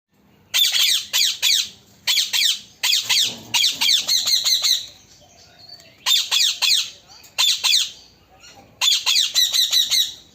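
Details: Parrot, described as a talking parrot, giving bursts of harsh, rapidly repeated screeching squawks, each burst lasting about a second, with short quiet gaps between groups.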